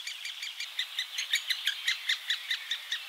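Great spotted woodpecker giving a steady run of sharp, high, chattering notes, about five a second, with no other sounds clearly heard.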